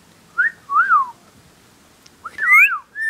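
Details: A pet talking rainbow lorikeet, which mimics speech and loves whistling, gives a few clear, swooping whistles that rise and fall, loud and human-like, with short pauses between phrases.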